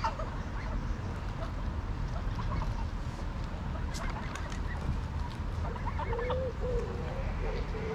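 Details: Greylag geese in Pearson Park, Hull, England, 22 August 2021, filmed with a GoPro Hero9; after several seconds of low background rumble and faint ticking, a cluster of short honks sounds near the end.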